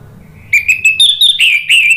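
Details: Orange-headed thrush singing as a prompt for other birds to reply: a continuous stream of bright, warbled whistles, each note rising or wavering slightly, delivered rapidly without pause after half a second of faint background hum.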